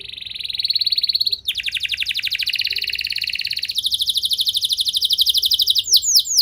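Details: Canary singing continuously as a lure for other canaries: a buzzy trill gives way to a louder, faster rolled tour, then a smoother trill, ending with a few broad sweeping notes.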